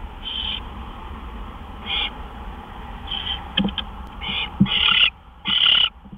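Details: Nest owl just past midnight on March 26, 2013, as gophers are brought in; a run of breathy hisses that grow louder and harsher, mixed with light clicking and scratching noises.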